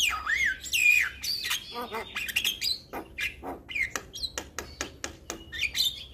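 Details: Vigorously singing Javan myna, meant to make young mynas respond fast: bright slurred whistles and twangy notes up front, then a string of sharp clicks and short chirps at an uneven pace.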